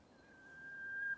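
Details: Japanese bush warbler (uguisu) in bamboo forest, giving a pure whistled note that swells steadily louder over about a second before breaking off abruptly. Calm background.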